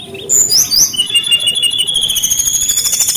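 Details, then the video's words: Brown-chested jungle flycatcher delivering lively song: sweet whistled slurs open into a long, sustained, very high thin phrase with a fast pulsing quality. "SUARA BURUNG SRDC GACOR - sikatan rimba dada coklat"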